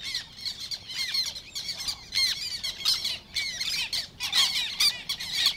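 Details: Field recording from Matsalu's reed beds, 1979, of Black Terns: loud, grating squawks and sharp kek-like notes come in dense bursts from several birds, with short quieter gaps between the volleys.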